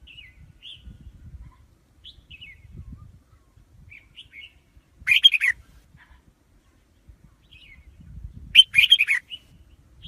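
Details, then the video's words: A red-whiskered bulbul gives scattered soft chirps, then two loud, rich warbled phrases about three and a half seconds apart, each a rapid tumble of bright whistled notes over a quiet low background rumble. "Tiếng chim chào mào"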